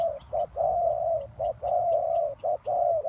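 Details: Decoy spotted dove used for trapping, delivering fast low coos: short clipped notes alternating with long, level, slightly falling coos, almost continuous.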